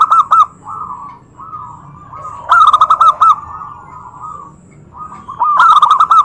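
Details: Zebra dove provoking other doves to answer. Sharp double coo notes open, then a loud run of quick bubbling coos, a soft distant phrase and a final loud rapid burst.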